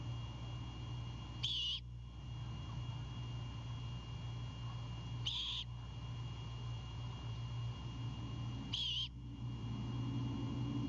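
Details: At a Savannah nest at night in March 2022, a Great Horned Owl owlet defends prey its father brought; three brief, breathy screeches about 3.5 seconds apart, with a steady low hum throughout.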